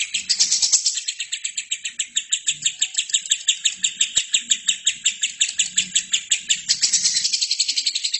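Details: Lovebird song used to train other birds: long, rapid, steady trill of rasping chirps, about three per second, with brief louder screechy bursts at start and end.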